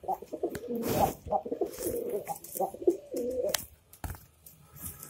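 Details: Domestic pigeons kept indoors for meat, a young pair having recently laid eggs, recorded on the evening of 15 December 2021: low throaty rolling coos in irregular bursts, with clicks and knocks from a small indoor space.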